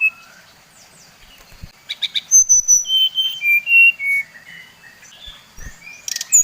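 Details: Brown-chested jungle flycatcher of the Bali type, its song used as a lure to provoke other birds of its kind; clear, pure whistled notes stepping down from high to lower pitch, mixed with brief sharp clicks and short buzzy notes.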